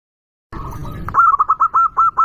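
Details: Local zebra dove with a loud, active voice, recorded to lure rivals. After a brief silence and some low rumble, a long rolling run of about ten steady, mellow coos follows in quick succession.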